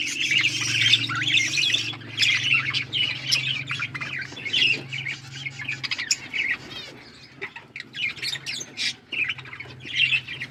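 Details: Australian parrots calling in irregular bursts of squeaky chirps, trills and squawks separated by brief lulls, with a low steady hum for the first half.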